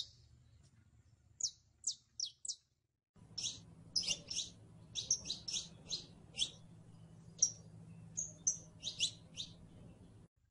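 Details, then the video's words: Saffron finch (canario criollo) singing a few bright high chirps, then after a brief gap a longer, denser run of sharp, repeated chip notes, with a steady low hum behind. "CANARIO CRIOLLO (SICALIS FLAVEOLA)"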